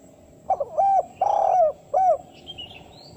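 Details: A single phrase from a spotted dove calling to lure wild doves: a quick double note, a hoot, a long wavering coo and a short closing coo, followed by thin high chirps of another bird.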